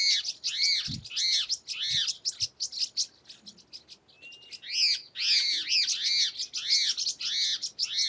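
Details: Wild pair of wing-banded horneros in the sertão of Paramirim, Bahia, Brazil, frightened by Tuim parakeets: loud, ringing, arched notes repeated rapidly, speeding into an overlapping chorus, with a few low thumps of wind.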